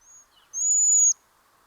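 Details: A Cedar Waxwing gives its simple single-note call, one thin, very high, level note held for about half a second, with a faint hiss and a brief softer whistle before it.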